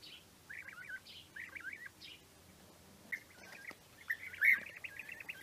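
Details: Bird singing: short phrases of clear whistled notes in quick wavering runs, repeated every half second or so, ending in a faster trilling series, over a quiet background hum.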